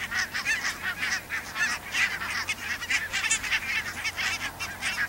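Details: Pink-footed and Brant geese at the Borreby bogs, low-lying land full of water. Busy flock chatter of short, overlapping honks and yelps, fairly even in loudness throughout.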